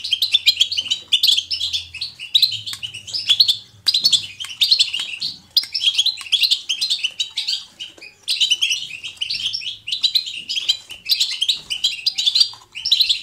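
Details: Lively goldfinch batbata used to stimulate singing in goldfinches: repeated energetic bursts of high tinkling chirps and twitters with brief gaps, over a faint low hum in the opening seconds.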